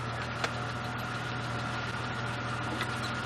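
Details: Idling vehicle engine hum with a steady low drone, a faint tonal whine and one sharp click, and no animal calls.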